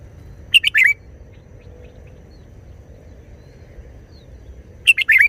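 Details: Red-whiskered bulbul singing short wild-style phrases: two quick bursts of bright, warbled notes, one near the start and one at the end, separated by a long quiet gap over a soft low hum.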